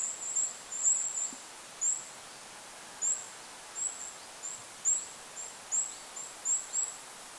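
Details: Tiny high 'zee'-like Goldcrest notes repeated roughly once a second, single or paired, in a lakeside forest with a constant wind hiss.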